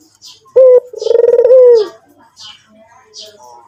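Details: White dove (puter putih), described as actively cooing, gives a brief clear note then a rolling, pulsed coo that settles into a long, smooth, slightly falling tone lasting about a second; faint high chirps from other birds sound in the background.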